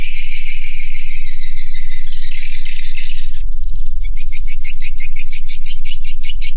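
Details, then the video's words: Swiftlets inside a swiftlet house: a dense buzzy chorus, a brief near-silent gap, then quick rhythmic high chirps repeated several times a second, with a low hum beneath. "BEGILAH SUARA ASLI DALAM GEDUNG WALET"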